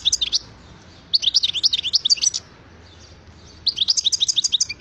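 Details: European goldfinch in lively song, three quick bursts of bright, high twittering notes tumbling up and down, each lasting about a second, with brief silences between.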